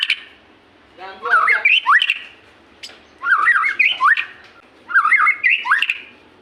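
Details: White-rumped shama singing to draw captive shamas into song: three loud phrases of harsh rattling notes running into quick rising whistles, each about two seconds apart.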